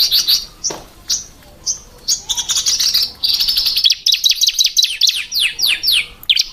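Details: Female ciblek (bar-winged prinia) chirping: quick bursts of high, sharp chips and short twittering runs, closely spaced with brief pauses between.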